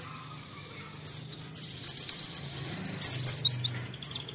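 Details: Fast, high-pitched twittering from a white-eye (pleci) used as a bait recording to get birds singing quickly; quick notes build into a dense, accelerating run of sharp chirps.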